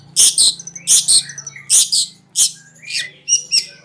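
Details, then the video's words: Long-tailed shrike (cendet) training song, konslet style: loud, harsh rasping bursts given in pairs, then thinner chirps and short whistled notes, over a faint low hum. "RAJANYA CENDET,GURU VOKAL ANDALAN,CENDET KONSLET TIADA TANDING"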